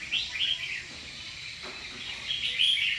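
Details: Caged red-whiskered bulbul at a singing competition giving quick bright chirpy notes in two short bursts, high and rapid, over faint background noise.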